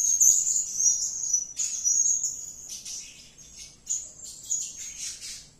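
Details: Serindit (blue-crowned hanging parrot) giving lively, energetic calls: shrill, very high, thin twittering bursts that fade gradually toward the end, separated by short pauses.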